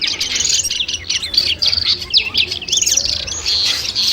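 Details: Long-tailed shrike (cendet) sounds for training a contest bird. Energetic high chatter of zigzagging, rapidly repeated notes in closely packed bursts.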